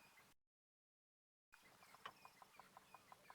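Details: A bearded woodpecker drums in the distance during an African bush sunrise safari drive on 1 April 2017, early morning. It gives a steady run of sharp, hollow knocks about six per second, a territorial signal rather than feeding, over a quiet hiss.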